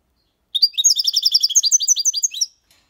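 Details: European goldfinch, six months old, in clean Málaga copy song style: a single phrase of about two seconds made of quick, bright, liquid twitters and short trills, repeated in a fast, even rhythm before stopping abruptly, with silence all around.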